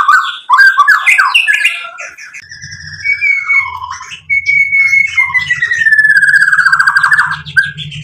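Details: White-rumped shama singing to provoke rivals: jumbled chatter at first, then long drawn whistles falling slowly, with a low rumbling hum underneath.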